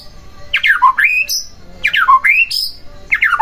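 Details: White-rumped shama song used to trigger another shama; a harsh swooping phrase falling then rising into a high whistle, repeated three times about every second.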